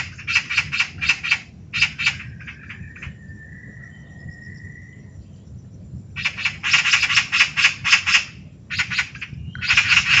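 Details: Eurasian magpie (Pica pica) chatter call: harsh, rattling chatters in rapid bursts of several notes, with a pause where a faint thin whistle is heard.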